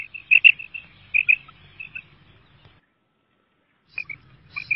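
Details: Female quail utters a brief burst of short, high clicking notes, falls silent for over a second, then resumes with a few more.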